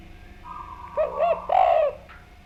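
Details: Spotted dove singing to provoke replies from other doves: two short curved coos, then a longer sustained one, over noticeable background hiss and a faint higher tone.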